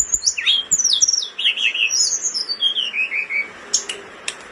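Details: Blood-breasted flowerpecker in breeding condition, singing hard for tutoring: a tumbling series of high notes sliding down in steps, ending with a couple of sharp ticks.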